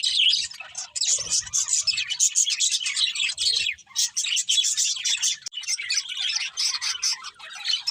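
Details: Several budgerigars sing contentedly while eating, giving a constant stream of scratchy warbles and quick high chirps, with faint low thuds early on.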